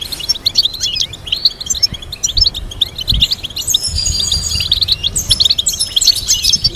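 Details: European goldfinch singing for teaching purposes: quick chattering chirps building into denser, higher buzzy trills, many voices at once, with low bumps in the background.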